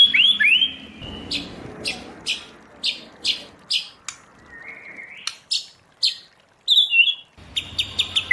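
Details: White-rumped shama singing in wild-style forest voice used to train birds: slurred whistles open, then a series of sharp clipped high notes about every third of a second, rising whistled phrases and a final burst of quick notes.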